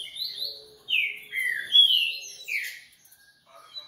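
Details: Coleiro (Double-collared Seedeater) from a breeder singing a quick series of loud descending whistled slurs, about six notes, the phrase then fading into soft chips.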